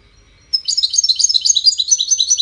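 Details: High, busy twittering from a wild European goldfinch in a five-bird song competition: after a short silence it breaks into a continuous, jingling stream of quick chirps and trills.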